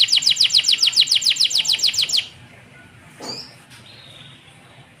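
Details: Tutor song for young canaries: a rapid rolling trill of bright high notes lasts about two seconds, then breaks off, leaving a quiet pause and one soft, thin whistle.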